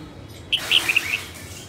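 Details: Short bubbly phrase from a female red-whiskered bulbul, northern type, during voice training: a few clipped high notes in quick succession over a wash of broad hiss.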